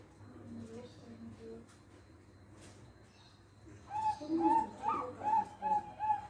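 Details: Melodious song of a Bangkok-type zebra dove: a quick run of short, clear cooing notes repeated in a bouncing rhythm, with lower coos mixed in and faint background noise before.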